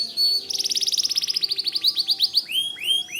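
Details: White canary singing steadily: a fast rattling trill of high notes that slows into separate swooping notes, ending with broad rising sweeps.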